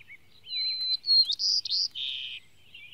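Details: White-crowned sparrow singing in Maine while migrating north: a clear whistled opening near one pitch, then buzzy, trilled notes and a lower burry ending, about two seconds long, against a quiet background.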